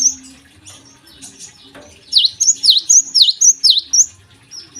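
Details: A Java sparrow singing in the morning: after soft, scattered chirps, a run of about eight clear, high, bell-like notes, each sliding down and back up, delivered at a steady quick pace.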